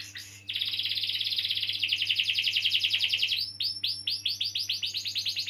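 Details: Canary singing a long uninterrupted roll, played to lure young or non-singing canaries; a dense buzzing trill lasting about three seconds gives way to a string of loud rising swept notes.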